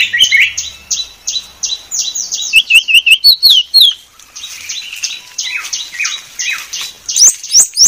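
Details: White-rumped shama masteran song, described as very clear: a fast stream of high buzzy repeated notes broken by sharp whistled slurs, continuing with trills to the end.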